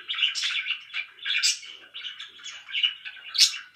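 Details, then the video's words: Pet budgerigars chirping loudly: continuous busy warbling chatter with short squeaky notes and brief high peaks, no other sounds. "VERY LOUD BIRDS"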